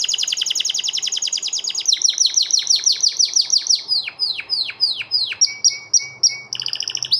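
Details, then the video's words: White male canary singing, used as a training song: rapid buzzy trills, then a series of long downward-sweeping notes, finishing with short clipped whistles and a fast rattle. "The White Male canary singing"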